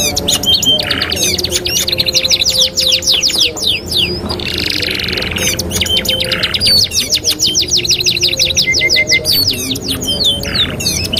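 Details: Two-in-one canary training song: fast rolling trills of sharp repeated high notes at steady tempo, broken by a short harsh buzzy burst midway, then more trills with clear whistled slurs.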